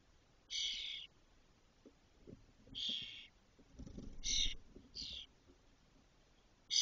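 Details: Spotless starling nestlings, six well-feathered chicks in a cork oak nest in Doñana National Park, 2023, as the first leaves; harsh scratchy bursts roughly every second or two, with brief shuffling in between.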